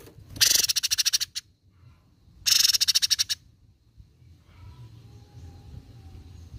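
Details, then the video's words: A cucak cungkok on a training recording delivers two loud bursts of rapid, rattling high pulses, each around a second long, separated by a pause, then faint distant chirps over low background noise. "MASTERAN MEWAH CUCAK CUNGKOK GACOR!"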